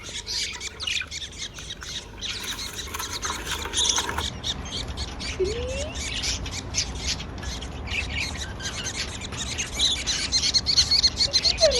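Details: Happy pet budgerigars chattering: dense rapid clicks and scratchy chirps, with a few short squeaky notes over a steady hiss of background noise.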